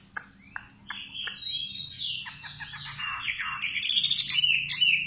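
A nightingale opens with a few sharp clicking notes, then pours out a rich, varied run of loud whistles, slurs and rapid trills. A faint low hum sits underneath.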